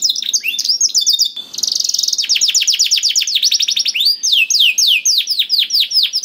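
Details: Canary song meant to stir a silent canary into singing: opens with sharp chips, then a dense buzzing trill, followed by many quick descending whistled notes repeated about four per second.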